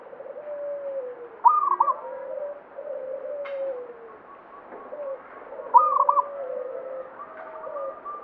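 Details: Local zebra dove of the banyumili type in full song. Two sharp, rapid cooing bursts arrive about four seconds apart, over a continuous backdrop of lower, drawn-out sliding coos.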